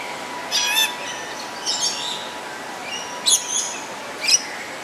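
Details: A pair of black-capped lories (Lorius lory) give four short, harsh, high screeches about once a second, with a faint steady hum underneath.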